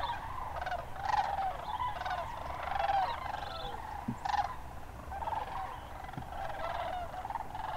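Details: Sandhill cranes wintering around Hiwassee Wildlife Refuge, Birchwood, Tennessee, January 16, 2013: a more distant flock chorus of rolling, gargling calls rising and fading, with low background rumble.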